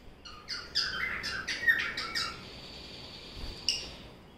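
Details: Pet violet-masked lovebird, from a male and female pair playing and eating fruit at lunch, gives a quick run of shrill, harsh chirps over about two seconds, then one more sharp chirp after a pause.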